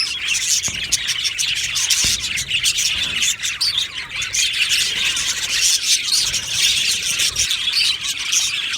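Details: Budgerigars in an aviary chirp nonstop in a thick, high chorus of twitters and squeaky warbles, with two short clicking knocks early on.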